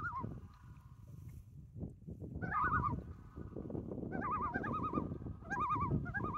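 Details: Wild loons on Boya Lake in British Columbia, Canada, heard from a canoe, with echo across the water. Wavering, yodel-like tremolo notes rise and fall in repeated bursts over loud rumbling and splashing paddle noise.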